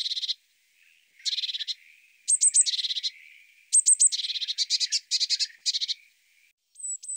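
Eurasian blue tit singing: a few very high, thin falling notes run into fast, dry, buzzy trills, repeated in bursts over several seconds.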